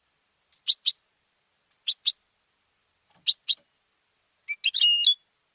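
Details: Contest-trained captive goldfinch giving three evenly spaced groups of sharp double and triple chips, then a fuller tinkling phrase with a thin whistled tone; clean recording without background noise.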